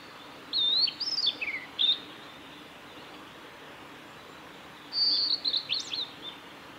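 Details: Male blue-and-white flycatcher at Kanazawa forest road, Lake Miyagase, Japan, 17 May 2020, singing two phrases about four seconds apart, each clear high whistles swooping up and down with a falling slurred tail.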